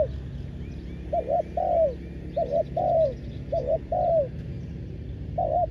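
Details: Decoy spotted dove calling wild doves during ground trapping; soft, hollow coo phrases of two quick notes and a drawn-out sliding note, about four phrases with brief pauses, over a low rumbling background.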